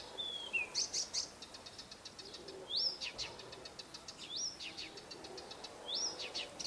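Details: Nightingale singing at a dacha in the Irkutsk region: short rising-then-falling whistled phrases recur about every one and a half seconds, over a steady run of dry clicking ticks.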